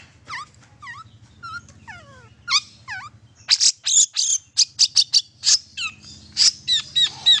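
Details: Long-tailed shrike song used to stimulate silent shrikes: clear descending whistles and swooping slurs, then louder, harsher high chirps repeated quickly.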